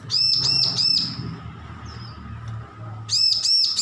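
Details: Bar-winged prinia, a young bird learning to sing after hand-feeding ended: a rapid run of three piercing, arched high notes, a pause with a faint thin note, then three more, against a soft low hum.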